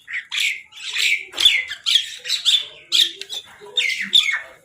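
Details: Crows squabbling over food, giving harsh, hoarse squawks in quick overlapping bursts, several birds calling at once with little pause.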